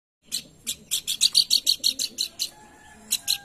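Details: Pelanduk bukit, used as a lure recording to stimulate singing: a quick run of sharp, high, scratchy chirps repeated about three times a second, with a brief pause before two final notes.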